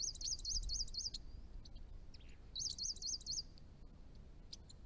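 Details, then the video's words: Chestnut-rumped thornbill in northern Victoria, Australia, near garden ponds: two quick bursts of high, wavering, rapidly looping notes about two seconds apart, followed by scattered thin chips, over a soft background hiss. "Chestnut-rumped Thornbill - an exceptional small bird"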